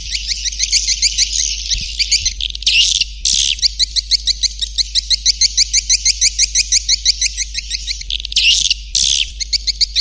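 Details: Swiftlet lure sound: long runs of rapid high chirps broken by short harsh buzzes, over a steady low electrical hum.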